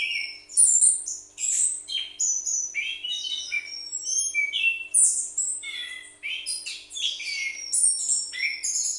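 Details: Kept orange-headed thrush in full song: dense, jumbled run of bright whistled notes, squeaky chirps and short trills, loud and unbroken across the whole stretch.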